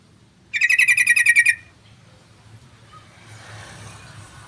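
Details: Sooty-headed bulbul (trucukan) delivering a fast rattling series of about ten clear chirped notes in one second, then quiet with soft ambient noise.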